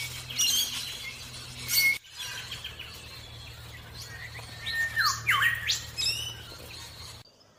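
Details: Morning chirping of an Orange-breasted bunting: a burst of chirps, a pause, then a falling-then-rising whistled sweep with short trills, over a low steady hum.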